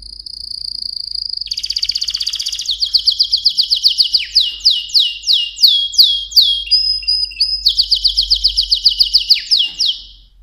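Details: Mosaic canary in full song: a high steady whistle, a buzzy rolling trill, then long series of quick descending sweeps with a short flat pause, resuming the sweeps before fading.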